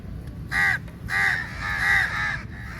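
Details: Crow from a large flock attacking food at feeding time: three loud, harsh caws in a row, each about a quarter to half second long, the later ones close together, over a low rumbling background.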